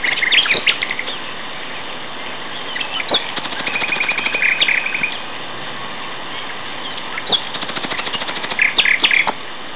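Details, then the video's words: Two male common nightingales singing in May 2012 at Castor Hanglands near Peterborough; rich varied phrases of sharp high chirps, a fast even rattle of repeated notes mid-phrase, and bursts of rapid staccato notes, separated by short pauses. "Nightingale Duet"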